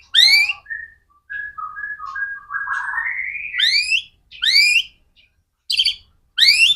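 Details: White-rumped shama song played to prompt other shamas: clear whistled notes, a long rising slurred phrase, then loud repeated high upswept notes separated by silences.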